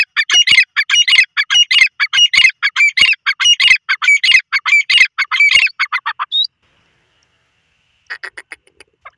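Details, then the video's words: Grey francolin, known locally as teetar, calling in its natural voice: a loud run of harsh, strident notes repeated rapidly for about six seconds. A pause follows, then a few fainter notes close the clip. "grey francolin teetar birds with his natural voice"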